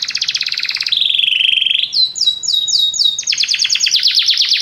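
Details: Canaries singing together after hearing music: a fast buzzy trill, then a steady whistled roll, then a run of bright repeated rising notes that grows into a dense, rapid high trill.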